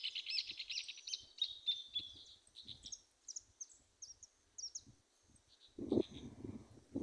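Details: Saffron finch singing well in a small wooded patch near Buenos Aires: a quick string of sharp, high chirps and short slurred notes, several each second, with a brief low rumble of wind or handling near the end.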